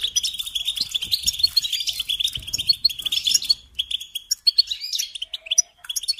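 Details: European goldfinch singing a dense run of twittering trills for several seconds, then slower separate chirps and short phrases.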